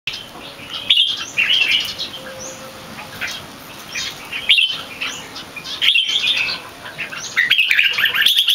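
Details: Red-whiskered bulbul competition bird, not yet in full form, singing its loud, clear, long keke: bright warbled phrases in short bursts separated by brief pauses, with a faint steady high hiss behind.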